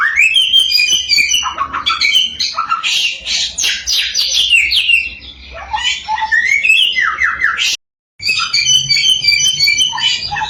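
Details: Samyong singing loudly and nonstop as a lure to stir other samyong into song: a rich, varied medley of whistles, rapid chatters and harsh squawky notes, with a brief silent break near the end.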